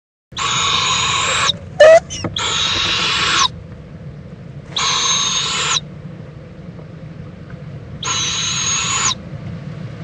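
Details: Adult owl visiting and preening with its owlet at 11:45 AM, February 26, 2014, in Indiantown, Florida, gives long, harsh hissing screeches, each about a second long, four times with pauses of one to two seconds between them. A brief click and squeak come early.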